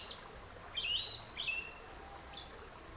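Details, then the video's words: Sabiá-una, the yellow-legged thrush, in song, judged louder than other thrushes by the recordist; a few short clear whistled notes, level or gently falling, spaced about half a second apart, with soft hiss behind. "O CANTO DO SABIÁ-UNA"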